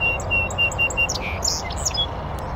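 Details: From a bush beside a beaver pond on a northern USA oak savanna, a North American Song Sparrow opens with four or five even, clear repeated notes, then breaks into a buzz and quick, high, varied chips and trills.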